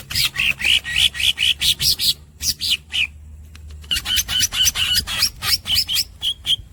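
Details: Greater green leafbird giving squeaks and rolls: a long run of loud, harsh, evenly spaced squeaky notes at about three per second, broken by a short pause, then resuming with sharper, whistled inflections.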